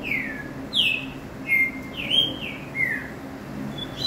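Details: Green-winged saltator giving a phrase of clear whistles, falling slurs and flat sustained notes, roughly one note every half second over a constant low hiss.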